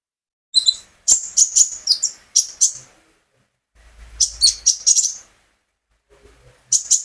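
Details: An olive-backed sunbird kept at home sings to get other birds singing: bursts of very high, buzzy chirps in quick clusters, separated by clean silent pauses.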